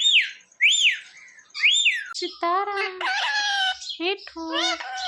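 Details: Pet parrot known for saying mummy and papa; starts with high, swooping whistled notes, then moves into lower, rich, voice-like drawn-out syllables with wavering pitch, almost continuous.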